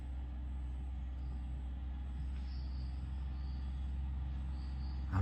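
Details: A steady low engine-like rumble and hum fill the recording, with a sharp knock near the end and no clear animal voice.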